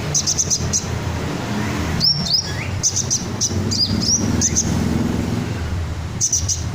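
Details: Red sunbird in ngobra style, kept as a song tutor for cage birds, giving rapid clusters of piercing high ticks and brief upslurred whistles, pausing, then resuming, over a low rumbling background.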